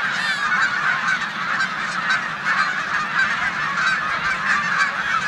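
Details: Snow geese on a spring stopover in a Savannah, New York corn field, among resident Canada geese, March 2020: a thick, continuous chorus of shrill honks and barking yelps from a large flock.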